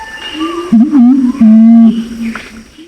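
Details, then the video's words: Male and female Pinon's imperial pigeon lure calls, Nabire, Papua: deep, wavering hoots that swell into a long, loud, droning moan, then fall back to softer low coos; finding: Imperial pigeon. "suara pikat jantan dan betina burung pergam alis merah"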